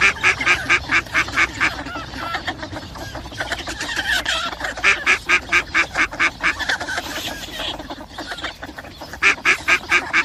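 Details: Mallard calls: loud, nasal quacks in rapid, regular series of about six to eight, repeated in several bursts, over a background of softer overlapping duck chatter.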